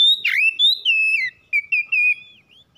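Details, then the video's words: Oriental magpie-robin, a household bird, in song played to make others sing: a strong opening whistle, then clear drawn-out and slurred whistles at steady pitch, ending in softer notes. "PANCINGAN CEPAT PAGI SIANG MALAM KACER RUMAHAN CEPAT GACOR"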